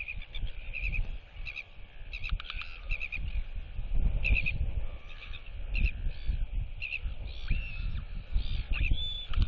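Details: Young royal albatross displaying and whistling to nearby chicks, turning her head side to side while neighbouring birds clack; clipped pulses and brief tonal notes ride over heavy, constant wind rumble.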